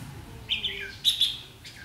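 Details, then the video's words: Red-whiskered bulbul threatening a decoy with ché song at a trapping site, 7 July 2016: a short, sharp run of high chirps and a bright double note, clear and close. "chim chào mào hót ché nạt mồi"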